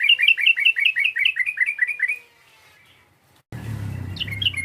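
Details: A yellow-vented bulbul, calling to stir up a rival, gives an evenly spaced series of short, lilting chirps for two seconds. A low rumbling noise follows, with a few more notes over it.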